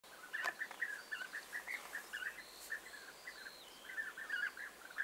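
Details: European bee-eaters, several birds, recorded 29 May 2021, giving a busy run of short rolling, liquid calls that overlap almost continuously, with thin high whistles from other birds faintly above.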